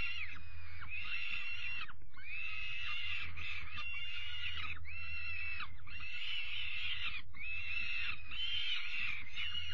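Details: Evening feeding of young peregrine falcons on 5 May 2021; loud, harsh, buzzy screeches repeated in bursts of roughly one second, nearly continuous, over a constant low hum.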